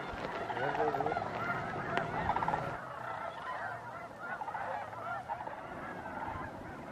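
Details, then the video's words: Snow geese at sunset and sunrise at Bosque del Apache National Wildlife Refuge, 12–13 December 2009: a dense flock chorus of overlapping nasal honks and yelps, calls tumbling over one another continuously, with a few clearer individual honks standing out early on. "Snow Geese Sunset and Sunrise"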